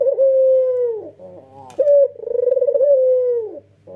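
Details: White red-eyed male Barbary dove giving an energetic nodding coo: a steady low hoot of about a second that drops at the end, a short rough phrase, then a brief sharp note leading into a long throbbing, pulsing coo.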